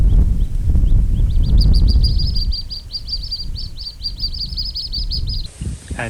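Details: Juvenile Little Grebes, a pair at Oare Marshes Nature Reserve, beg their parent for food, caught on a DJI Mic 2: a long, fast, steady stream of high squeaky peeps lasting several seconds, with wind rumble at the start.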